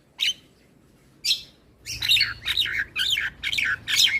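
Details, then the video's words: Song of an Asian pied starling played in the morning so young birds learn it: two isolated harsh notes, then a fast series of buzzy, down-slurred chattering notes. "Masteran Burung Jalak Belajar Bunyi Putarkan Suara Jalak Kebo Setiap pagi"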